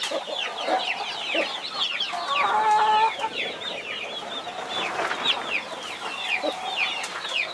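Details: Mother hen protecting 21 baby chicks: a thick chorus of high, falling cheeps, with a brief clear, level hen tone in the middle.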